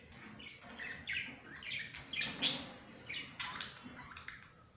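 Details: Playing pet budgerigars chattering in a rapid run of squeaky, warbled chirps and scratchy notes, one sharper high squeak near the middle, over a faint low room hum.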